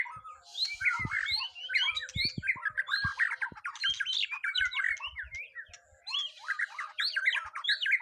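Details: White-rumped shama on a first mental test, singing loud, varied phrases of squawky chatter and whistled slurs, pausing briefly around six seconds before resuming, with scattered low clicks and knocks.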